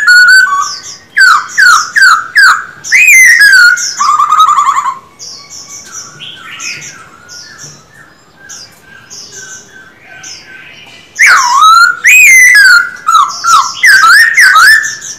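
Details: Caged male silver-eared laughingthrush in a song-training session: loud bursts of slurred whistles and sharp rising-falling notes, a quieter stretch of soft chattering and twittering, then loud rapid whistled phrases return.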